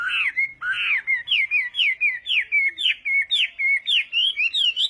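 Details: A Chinese hwamei sings its morning voice-training song, a fighting-song style of rapid, evenly paced whistled notes, each slurred up or down, several per second and ringing loud and clear.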